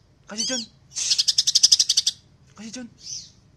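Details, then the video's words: Dense, tightly packed song of a greater green leafbird: a harsh lower chattered note, a fast burst of about twelve high clicks, another chatter and a short high squeak. "Beretan Rapan Cucak Ijo Gacor l Spet Rapat"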